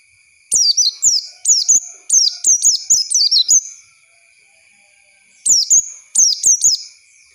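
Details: Oriental white-eye lure song meant to teach young birds: a long rapid string of high, sharply descending chirps, a pause, then a shorter burst, with a steady faint electronic tone.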